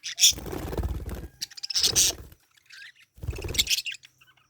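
Parakeet giving bursts of harsh, scratchy chirps about every one and a half seconds, with softer chatter between bursts.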